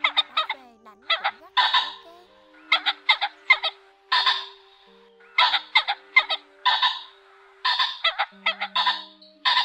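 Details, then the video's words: Male and female ring-necked pheasants calling the flock, used as a lure for trapping, give harsh raspy calls in quick clusters of two or three every second or two over a faint steady hum. "Tiếng Chim Trĩ Đỏ , Trĩ Cổ Nhẫn Trống Mái Gọi Bầy"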